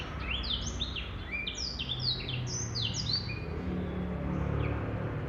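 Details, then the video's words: Singing male black-throated canary gives a lively chain of high, sweeping whistled notes, some rising and some dropping, easing off toward the end while low-pitched background hum continues. "Blackthroat Canary Bird Male - Jantan"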